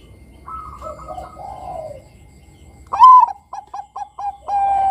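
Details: Singing Bangkok perkutut, or zebra dove, meant to coax juvenile doves to sing: quiet gurgling coos at first, then a loud upslurred opening note and a string of short evenly spaced coos ending in a sustained tone.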